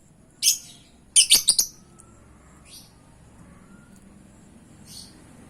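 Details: Lovebird calls used as a lure to prompt other lovebirds to answer: one sharp, shrill, high chirp, then a quick burst of four piercing chirps a second later, followed by two faint distant chirps over a quiet low hum.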